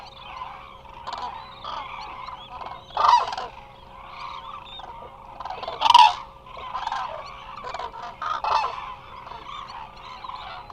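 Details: Eurasian cranes resting in numbers at the Hula Nature Reserve, Israel, on a remote wildlife camera: a continuous distant chorus broken by occasional louder rattling bugles roughly every few seconds, plus a steady background hum.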